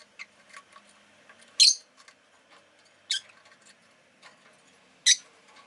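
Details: Pet rosy-faced lovebird calling with sharp, screechy chirps, three strong ones roughly every one and a half to two seconds, among softer faint squeaks and a low indoor hum.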